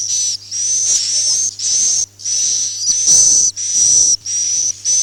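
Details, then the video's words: Swiftlet sound of the Akau ngaji style: a string of high, airy, hissing whistles held for about half a second each and repeated in quick succession. "suara walet Akau ngaji Original"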